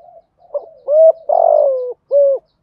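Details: Single full phrase from a spotted dove with a 'thổ' voice, a 'thúc gù' coo for rousing a decoy: faint murmur, a brief note, a level coo, a long falling coo, then a final shorter coo.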